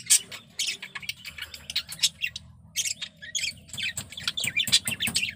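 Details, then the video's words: Breeding-condition male budgerigar warbling a fast, scratchy chatter of chirps, clicks and squeaky notes, with bursts of louder buzzy twitter and brief pauses. "Suara Burung Parkit Jantan || BIRAHI PARAH"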